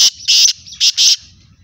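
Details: Kala teetar, the black francolin, calling in loud grating bursts: four harsh, broadband notes in quick succession, the middle pair close together, with faint low rumble between them.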